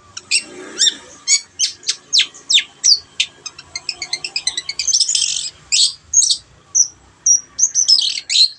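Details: Long-tailed shrike in full song, played to coax birds that have stopped singing: rapid clicking and ticking notes in quick series, then rising into scratchy warbled phrases and short high whistles, loud and continuous.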